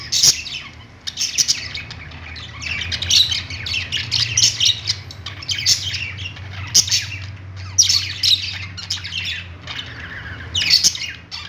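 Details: A group of budgies on a perch in a pet store keeps up a steady twittering warble, punctuated by louder clusters of sharp chirps every second or two, over a low steady hum.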